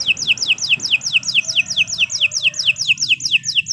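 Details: Canary repeating clear down-slurred whistles at a steady pace, roughly two to three per second, throughout the clip.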